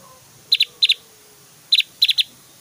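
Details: Javan grey-throated white-eye, a lively singing bird in Java, giving varied whistles and very loud, sustained 'tembakan' shot notes. Here: sharp, high chipping notes in quick pairs, then tight triplets, separated by short pauses, over a quiet background.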